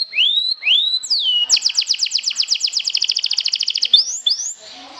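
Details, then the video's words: Canary song meant to provoke rival canaries: rising swoops lead into a rapid, even trill of bright repeated notes lasting over two seconds, followed by a few upward whistled slurs. "PIKATAN KENARI, PANCING EMOSI"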